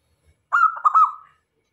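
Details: Local zebra dove in full song, used as a lure to attract other male and female doves; a single phrase of quick, broken cooing notes trailing off into a longer drawn-out coo, in a quiet setting.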